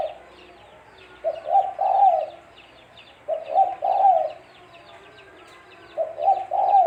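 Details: Cooing of a spotted dove, known locally as tekukur, used to lure birds for trapping: three low rounded phrases of a short note and a longer drawn coo, repeating every two to three seconds amid faint twittering.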